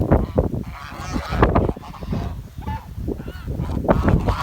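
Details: Swans in a village calling with loud, nasal honks in quick irregular bursts, some short and clipped, some drawn out, against heavy low-pitched rumble.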